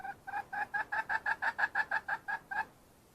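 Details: Wild red junglefowl hen giving a quick, even string of about fourteen sharp, doubled clucks that stops cleanly into quiet background.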